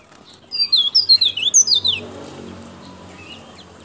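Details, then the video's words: A local Sulawesi white-breasted white-eye (pleci dada putih, Baubau Buton), used as a lure call, gives a quick run of high, thin, twittering notes, about eight in a second and a half, then falls quiet over faint hum. "Suara Pleci Daput Lokal Sulawesi"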